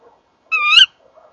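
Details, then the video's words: Tawny owl at a nest box where male and female call together, January 2014 evening; one loud, sharply rising kewick shriek of under half a second, with faint soft sounds around it. "Bosuil M en V roepen samen bij de kast"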